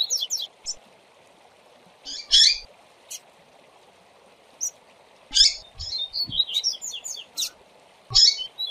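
Double-collared Seedeater song: bright, high, chirpy phrases in short bursts, the densest a quick run near the end. A steady low hum runs underneath.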